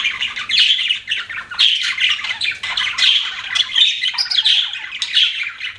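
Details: Several budgerigars chattering, scratchy chirps and squeaky warbles in loose bursts under a second apart, with a faint low hum.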